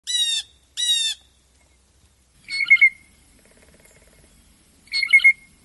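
A Blue Jay gives two harsh, nasal jay notes in quick succession, then two bursts of softer, jumbled chatter a couple of seconds apart.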